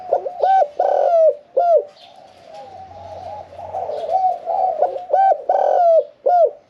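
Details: Spotted dove in a cage for one year four months, singing in the 'khan yon 1 kuk' style with a middle-pitched voice and no competition experience. Repeated short hooked coos and rolling phrases sound, with a quieter warbling stretch between the louder bursts.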